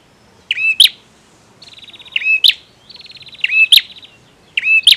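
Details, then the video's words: Four phrases from a lively male bar-winged prinia, each a rising whistle plus a high click, separated by short buzzy, stuttering trills. "Suara Prenjak Tamu Jantan Gacor"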